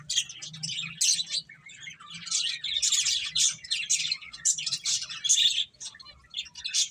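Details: Finches feeding and chirping steadily, with dense overlapping high tweets and squeaks that come in irregular clusters throughout and scarcely pause.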